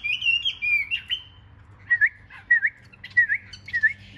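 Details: Caged Chinese hwamei with a large build singing during a fighting display: clear whistled phrases, sliding high then dropping lower, followed by short rising-falling whistles repeated roughly every half second.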